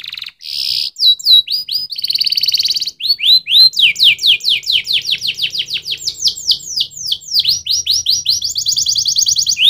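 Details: Long canary song: brief rolls and a rapid trill, then an extended chain of repeated downward-sweeping whistles, closing with a high fast trill.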